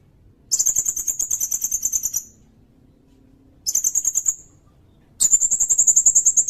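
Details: Sirindet song for teaching songbirds and for bird-catching lures: loud, very high, buzzy trills of rapid even pulses, the first lasting about two seconds, a shorter one after a pause, then another starting near the end.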